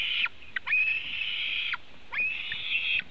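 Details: White-tailed eagle nest webcam in Latvia, eaglets being fed at the nest on 24 June 2018 in mid-afternoon. Long, thin, high whistled calls held steady, in two drawn-out bouts with brief sharp notes between them.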